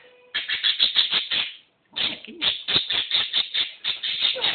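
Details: A visiting pet budgerigar, recorded April 8, 2012, chatters at pigeons outside the window in quick, scratchy bursts, repeated several times a second, with a short pause midway.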